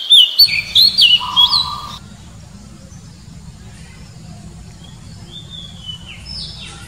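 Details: Brief burst of wild Oriental magpie-robin song, rapid looping whistles and a low steady tone in the first two seconds, followed by engine-like rumble with faint distant whistles.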